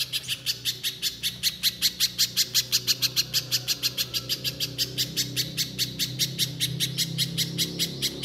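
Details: Little spiderhunter singing vigorously in a rapid, shooting style: a steady run of sharp, high, chipping notes, about four each second, continuing without pause for over eight seconds over a faint low hum.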